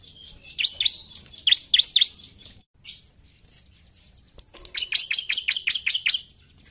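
Bar-winged Prinia singing high, sharp, rapidly repeated chirpy notes in two bursts, with a brief pause and a faint thin whistle between them.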